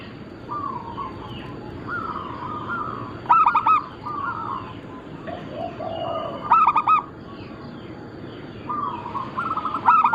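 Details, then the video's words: Local zebra dove of Bangkok crossbreed, a keen singer used to draw calls from other doves: loud clusters of rapid hollow coos come about every three seconds over softer cooing phrases and steady background hiss. "Perkutut lokal gacor - Pintar Mengundang Bunyi semua jenis burung kutut Lokal bangkok crossing"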